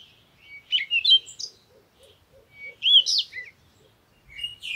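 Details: Parakeet chattering in squeaky, twisting chirp phrases, one near the start and a louder one around the middle, while a soft, regular ticking runs underneath and a short final chirp closes.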